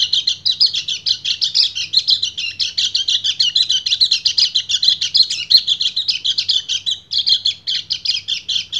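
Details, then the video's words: White-eye male in breeding condition pouring out a nonstop, high-pitched warbling chatter to attract a female, with rapid stuttering notes and one brief break near the seventh second; faint low hum behind. "PLECI GACOR NGEBREN - KECIAL KUNING BIRAHI MEMANGGIL BETINA"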